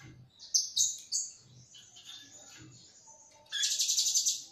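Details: Lure call of the blue-crowned hanging parrot, used to trap birds: a few thin, shrill squeaks, then a long high sustained note, ending in a loud buzzy pulsing chatter of rapid repeated notes, with soft low knocks.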